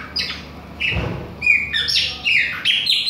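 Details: Bahian Chopi blackbird singing without stopping, short harsh squawks and bright whistled notes in an irregular fast sequence, one dull thump near the start, low steady hum behind.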